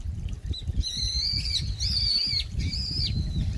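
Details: A brown-eared bulbul, a noisy grey resident bird, gives three loud, harsh, drawn-out squealing calls, each slightly wavering, over the steady low rush of a mountain stream in a park in late autumn around sunset.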